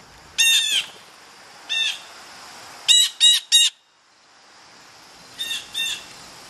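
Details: Excited blue jays rush in to grab peanuts. Short, harsh squawks come singly and in quick runs of two and three, with a quiet pause in the middle.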